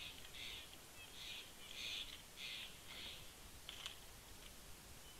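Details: Steller's jay visiting a bald eagle nest at Big Bear Lake, California, on 18 September 2019, gives a series of harsh, raspy calls about one per second, over a faint background rumble.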